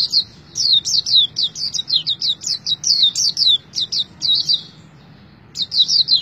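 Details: Pleci song: fast, sharp, high-pitched chirps strung together in lively bursts, a short pause near the end before the twittering resumes.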